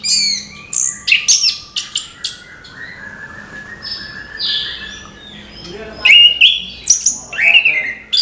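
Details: Orange-headed thrush in morning song, used to stir young birds to sing: quick high whistles and trills in clusters, a pause of soft notes midway, then loud swooping whistled phrases returning; human speech precedes.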